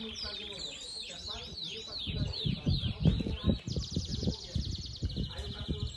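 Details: Yellow domestic Belgian canary at a singing competition in Brazil; high rolling notes repeated quickly, then a sustained, very fast bright trill, over murmuring voices and steady low background noise.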